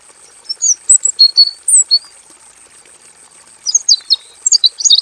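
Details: Male robin kept in a simple aviary, singing a long rolling song: a string of short, very high chirps and whistles in the first two seconds, a pause, then a faster burst of high twittering notes to the end, with faint hiss behind.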